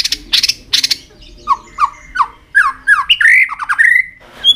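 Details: White-rumped shama singing with tail flicking to excite other shamas: harsh ticking bursts, then a run of downward-slurred whistles building into longer rising and falling whistled notes.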